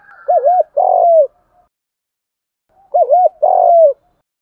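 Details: Spotted dove, country-voice decoy call to provoke other doves to coo: two matching phrases about three seconds apart, each a quick wavering double note followed by a long, drawn-out, falling coo, with silence between.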